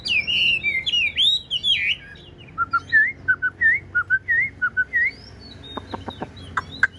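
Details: Pet Chinese hwamei singing in a dark house at night: rich looping whistles give way to a series of short two-note whistled phrases, followed by a few sharp clicks.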